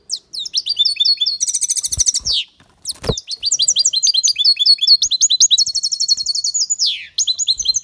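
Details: European goldfinch pouring out long, rapid tinkling song with buzzy trilled passages, interrupted once by a brief thump, then continuing in fast twittering runs.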